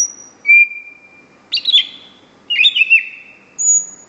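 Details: Singing greater green leafbird gives a high pure whistle and a long, level lower whistle. Two bursts of quick, chattering, warbled notes follow, and the phrase ends on a thin, very high sustained whistle.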